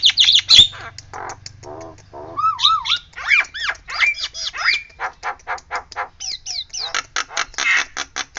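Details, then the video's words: Nias hill myna imitating a siren: harsh rasping bursts mixed with looping whistled notes that rise and fall in wavy arcs, then a fast run of sharp clipped notes, with faint low hum behind. "JALAK NIAS NEMBAK SIRINE"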